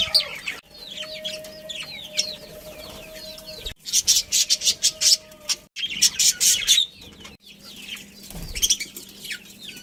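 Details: Captive budgerigars in a colony with a breeding pair, soft curling warbled notes over a steady low hum, broken by loud bursts of rapid scratchy chirps.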